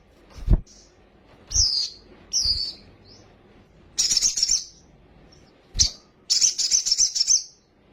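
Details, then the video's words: Sunbird in an agitated state, fluttering its wings, singing a filler-rich lure song. Separate high sweeping chirps and knocks lead into two fast, sizzling, high-pitched trills. "PANCINGAN BURUNG KOLIBRI SOGOK OTONG BAHAN CEPAT EMOSI BUNYI FULL ISIAN SOGON NGELEPER"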